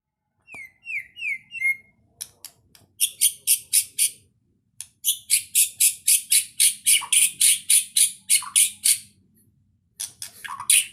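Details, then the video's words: White-rumped shama (murai batu) in lively full-isian song: a few quick whistled down-slurred notes open, then long runs of loud, harsh, buzzy notes repeated about four times a second, broken by short pauses. "Suara burung muarai batu juara gacor full isian"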